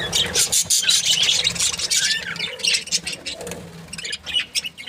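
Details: Budgerigar breeding pair, described as happy, chattering nonstop with rapid, scratchy high chirps and warbles, plus short whistled notes mixed in throughout.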